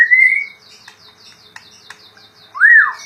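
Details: Kept white-rumped shama (murai batu) singing gacor: a clear rising whistle, a soft high ticking trill, then a loud, rounded, up-and-down whistled note.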